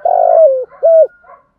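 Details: Decoy spotted dove cooing to lure wild doves, in the 'một hậu' (single-ending) crowing style: a long burry coo gliding slightly downward, then a shorter clear level coo, trailing off in a faint soft note.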